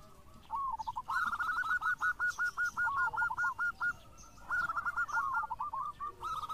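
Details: Actively singing local zebra dove, a lure to get other doves singing: a steady string of short, high, even cooing notes, a pause, then another quick run over a hissy background.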